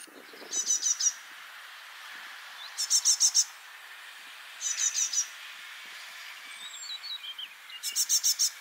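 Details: Freshly fledged juvenile great tit in spring at Parc Izadia, Anglet, France, one of four young playing and calling together one morning; bursts of four to six high, harsh rasping notes, repeated every two seconds, with faint thin chirps between.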